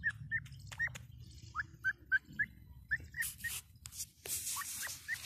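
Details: Grey francolin's rapid rising whistled calls repeat at a brisk, fairly even pace, later partly covered by bursts of loud hissing noise.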